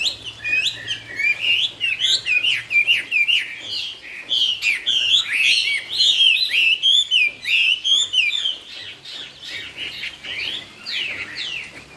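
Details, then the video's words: Chinese hwamei, sung in the 'cao cầu' style, pouring out a long, continuous, varied song of loud rich whistles, quick slurred phrases and trills, with short pauses between bursts. "Trong rừng có cây Thông mọc thẳng, con chim hót cũng thẳng " Họa mi cao cầu""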